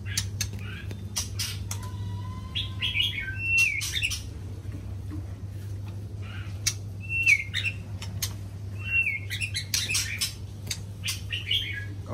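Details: Morning song of a white-rumped shama, scattered sliding whistles and brief rising notes mixed with crisp broadband clicks, heard above a constant low droning background.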